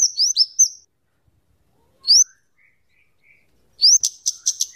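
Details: Song of the scarlet-headed flowerpecker, known as kemade or cabe cabean, used as a tutor and lure: clusters of sharp rising slurs separated by silence, faint soft lower notes, then a quick burst of high ticking.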